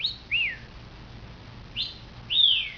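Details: A pet talking cockatiel mimics "come here, kitty", calling the cat with bright, arched whistled notes in pairs that rise then fall.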